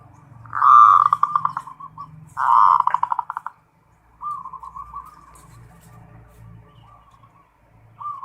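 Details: Local zebra dove singing in the full 'ngerot' style: two loud, buzzy, pulsed coo phrases near the start, then softer drawn-out fluttering notes, with a faint low hum beneath.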